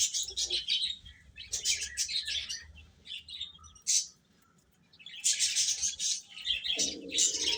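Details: Baby chicken chicks chirping while eating, high thin peeping calls in dense bursts with a quiet pause near the middle, plus soft low knocking and shuffling sounds.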